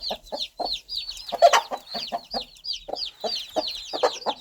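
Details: Mother hen calling her baby chicks, guiding them toward warmth, food and safety: short low clucks repeated roughly every third of a second, under a steady stream of high, downslurred chick peeps.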